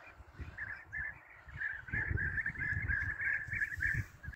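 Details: European bee-eaters at a hunting site: many overlapping short rolling, trilled calls at a steady mid-high pitch, forming a dense continuous chatter over the whole stretch, with low rumbling wind or handling noise beneath.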